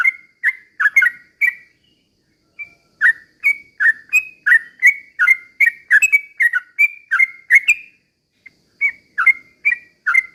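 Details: Sooty-headed bulbul singing vigorously in slow rolling bursts as a lure to make other bulbuls sing agitatedly: a few whistled phrases, a short pause, then a long steady string of bubbly notes, another brief gap, and more phrases.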